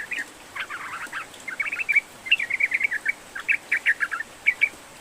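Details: Yellow-vented bulbul singing, used to encourage a bird that will not sing: jumbled quick chirps and scratchy notes, then a series of sharp, bright phrases with short gaps.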